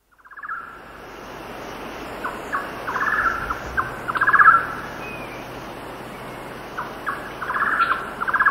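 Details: Golden-naped barbet singing at 6,000 ft in windy weather: repeated bursts of rapid, low trilled notes, some short and single, others rolling into longer accelerating trills, over steady wind hiss, with cicadas and distant birds.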